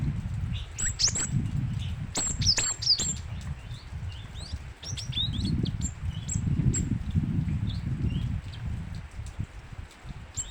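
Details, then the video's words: Cinereous tit singing vigorously: a quick burst of sharp, high chirping notes over the first three seconds, then scattered thin, high single notes, all above a steady low rumbling background noise. "burung gelatik batu gacor"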